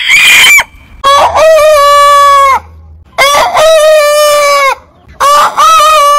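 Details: Three loud rooster crows about two seconds apart. Each is a harsh, rich-toned phrase that rises quickly, holds level and drops at the end.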